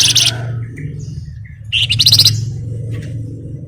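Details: Grey-headed canary-flycatcher (flamboyan) singing actively, used as a lure to provoke other birds to sing: two harsh, buzzy bursts of rapid chatter with short thin notes between them, over a steady low hum.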